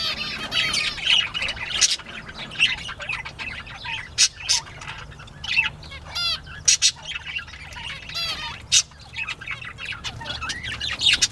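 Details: Bobwhite quail at playtime on 19 April 2017, mid-morning: thin, high, curved chirps and short upswept notes come in loose groups, punctuated by sharp broadband clicks and bursts of rustling throughout.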